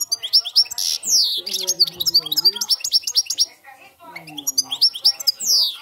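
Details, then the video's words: Cante campero song of a European goldfinch: dense, fast, liquid twittering with sweeping high notes and short buzzes, broken briefly by a pause, over faint speech and low droning sounds. "jilguero cante campero"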